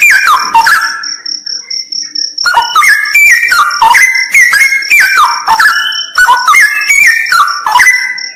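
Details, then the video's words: Straw-headed bulbul in a cave said to be haunted: a short burst of song, then a pause with a steady high thin tone, followed by a long torrent of rich, stepped whistles. "MP3 suara cucak rawa"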